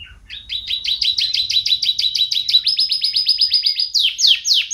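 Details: Champion canary singing a fast rolling series of bright, high trilled notes, each phrase a quick run of repeated chirps, shifting into slightly different trills and ending with sharp downward-sweeping notes; low rumble faintly underneath.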